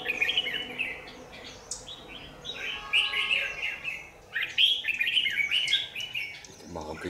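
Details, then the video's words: Red-whiskered bulbul singing as a lure bird at a trap, 27 January 2019: long sequences of fast bright warbling notes, ending with a short burst of human speech. "Bẫy chào mào Dây điện ngày 27/1/2019"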